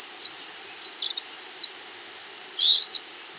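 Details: Scarlet minivet in full, persistent song for training other birds: quick bursts of thin, high chirps and slurred whistles in short phrases, about nine bursts in three seconds, over a clean, quiet background.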